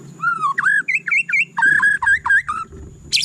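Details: White-rumped shama (murai batu) delivering rich, fluty whistled phrases, each note dipping and rising, repeated in quick succession and ending in a sharp, high, scratchy burst. A faint steady high whine sounds behind.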